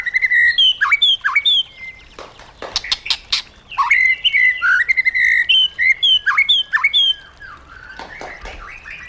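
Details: Caged-bird training song of the white-rumped shama in a wild style: sweet, clear whistled phrases with downward swoops, interspersed with sharp clicking notes and short pauses between bursts.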